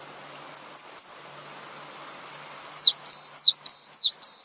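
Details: Cinereous tit on a master recording for training songbirds, opening with a few faint high notes before a short series of loud, bright two-part whistles, each dropping sharply then holding steady.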